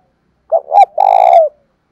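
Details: A single phrase from a decoy spotted dove in thổ pha voice, calling to provoke rivals: two quick rising coos, then a long even buzzy croo that drops slightly at its end.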